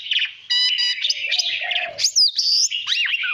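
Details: Kept white-rumped shama singing for voice training, used to stir other birds into competitive song: rich, varied phrases of clear whistles, quick repeated notes and sweeping rising and falling slurs, with a lower steady tone briefly underneath.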